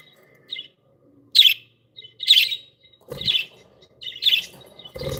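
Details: Happy pet budgies chirping: short bright bursts of sharp, scratchy chirps come about once a second, with a lower rustling noise beneath the later notes.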